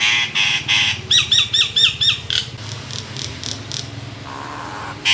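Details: Caged Nias hill myna singing indoors: broad raspy notes, then five quick downward-slurred whistles in a row, followed by softer chattering and a faint background hum.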